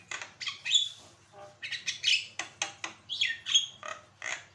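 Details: Vigorously singing Javan myna, recorded as a tutor for other birds to copy and answer: a steady, fast stream of chattering rasps and clear, high whistled notes, often paired in quick succession.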